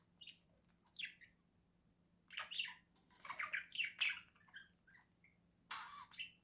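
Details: Indoor budgerigar pair, November 2024, one coaxing the other down from a new cage house: harsh squawking chirps in irregular clusters, a dense burst in the middle, over a faint steady hum.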